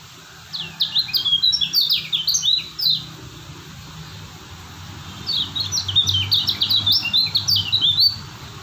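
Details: Lombok kecial kuning white-eye singing steadily: two bursts of high, fast twittering, each about two and a half seconds long, separated by a quiet gap of roughly two seconds, with faint low background hum.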